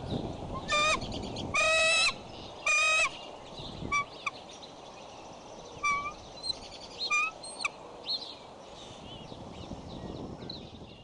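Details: Mother bald eagle scolding while guarding the Decorah nest with a young eaglet, 15 April 2012. Three loud, high piping screams with rich harmonics open, then thinner, shorter squeaky notes follow over steady wind rumble.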